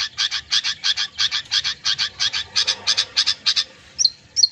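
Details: Long-tailed shrike with a mimic-filled song for training mute birds: fast, even series of harsh chattering notes, roughly three per second, ending in two thin high whistles.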